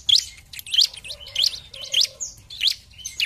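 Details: Bar-winged prinia singing in 'gacor' style as a lure for opponent birds: sharp, rising high chirps repeated roughly every half second over a soft twittering background.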